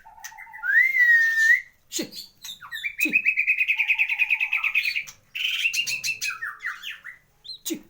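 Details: Caged champion white-rumped shama gives a rising clear whistle, then sharp clicks and a long rapid buzzy trill of repeated notes, ending in quick slurred chirps.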